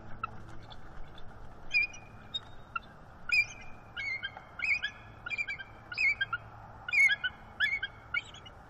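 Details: Mating vocals of a bald eagle pair on a morning perch in northeast Florida in December, the female initiating and the male replying. An evenly spaced run of high, squeaky chittering notes, roughly two per second, over steady background noise.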